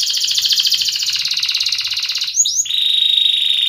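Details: Caged canary in loud 'gacor ngerek' singing, used to prompt mute and young canaries to learn to sing: a fast buzzy trill for two seconds, a few quick upslurred notes, then a steady high rolling trill.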